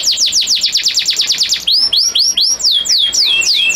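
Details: Male canary, a breeding bird, singing to a female in breeding condition to make her ready to mate: a fast run of descending whistled sweeps, then slower looping rising-and-falling whistles.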